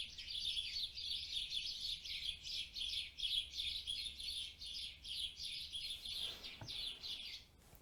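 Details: House sparrows, recorded as training data for a machine-learning bird-call classifier, chirp in a steady, overlapping chatter of about three bright chirps a second with no pause, over a faint hum.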